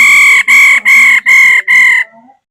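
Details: Calls of a female laughingthrush: a run of five strong, even, nasal-sounding notes of equal length with short pauses between them, finishing with a soft fading tail.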